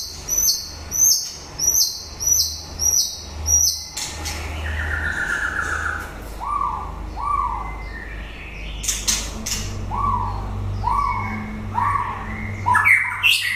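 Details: White-rumped shama singing at the end of the breeding season: a run of sharp high notes repeated about twice a second, then loud slurred whistles, several falling whistled phrases and quick bright flourishes.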